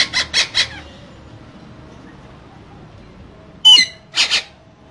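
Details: Two green parrots in a cage giving a quick triple burst of raspy chatter, a long pause, then one sharp squawk and two softer chattered notes.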